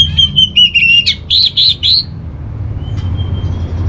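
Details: Orange-headed thrush song for bird training: high, steady whistles followed by a quick series of loud, rich, repeated warbled notes, fading into a thin sustained whistle and low hum.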